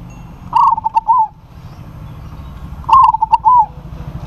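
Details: Zebra dove of local stock calling to challenge a rival. Two matching phrases about two seconds apart, each a run of clipped rolling coos ending in a held note, with a steady low hum behind.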